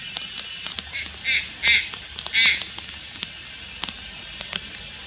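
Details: Juvenile Malayan night heron, Lugu, 4 August 2022, producing three raspy nasal squawks within about a second and a half, rising slightly in strength, amid steady high-pitched insect noise.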